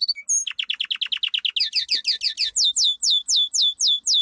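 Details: Domestic canary powerful song for training: a rapid series of falling buzzy notes, then slower repeated ringing downslurred whistles in steady rhythm.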